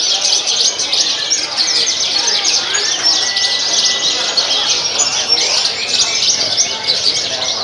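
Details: Several Horsfield's bush larks sing at a songbird contest in Tasikmalaya on 6 June 2021, a dense, unbroken chorus of high, rapid chirps, trills and twitters, with faint voices behind.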